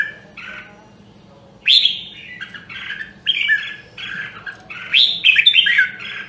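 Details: Red-whiskered bulbul of Nam Đông, Huế, recorded as voice training for competition singing. Two soft notes open, then after a pause come lively, loud warbled phrases with sharp rising whistles, building to a rich flourish. A faint low hum continues.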